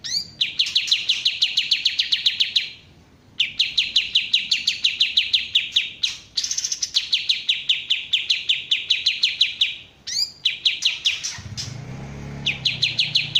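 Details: Kapas tembak bulbul giving long, fast trains of bright, descending chips in several bursts separated by short pauses, with an occasional upswept whistle. A low hum comes in near the end.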